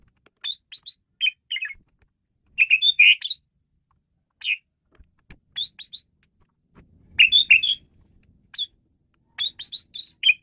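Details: Caged Asian pied starling singing to tutor other songbirds, with scattered bursts of harsh, chattering and squeaky notes separated by short silences throughout, and a brief low rumble in the background.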